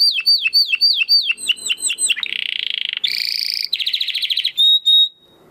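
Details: Training song of a domestic canary for competition birds: repeated sweeping whistles, a buzzy roll, a bright rattling trill, a chattering series and a final long pure whistle.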